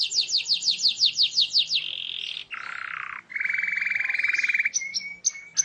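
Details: Canary song used to get other canaries singing along: about eight slurred descending notes in quick succession, a buzzy roll, a lower harsh tour, then a long even trill and a few short clear whistles.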